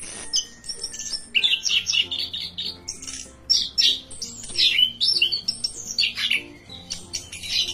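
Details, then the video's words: ['Orange-headed thrush in vigorous song, a busy mix of harsh scratchy notes, high squeaks and slurred whistles in irregular bursts, with a steady low hum in the background.'] "Anis Kembang Full Gacor"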